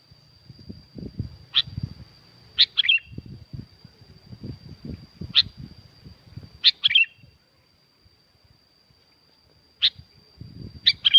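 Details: Sooty-headed bulbul in full lively song, recorded at Curug Agung, Subang, West Java: short bright chirped phrases of one to three slurred notes every few seconds, with low thumping handling noise and a constant thin high tone behind.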